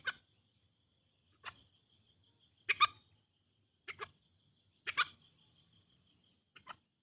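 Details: Green junglefowl calls from a recording used to lure wild birds: six short, harsh, broadband bursts, some doubled, spaced about one to one and a half seconds apart, over a steady high insect drone.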